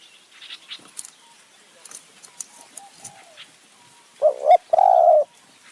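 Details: Thai high-forest dove luring with a spotted dove decoy near Kanchanaburi: soft chirps and clicks, then a single loud low coo phrase near the end, a short dipping note followed by a longer flat one.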